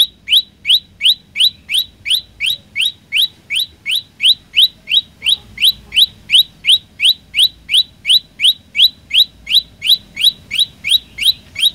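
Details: Olive-backed tailorbird singing in full voice, a fast, steady series of sharp upslurred chirps, about three per second, over roughly 34 notes without pause against a quiet low hum.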